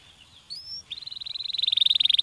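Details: Canary stimulating song: a thin whistled note and a brief pause, then a fast rolling trill that grows steadily louder toward the end.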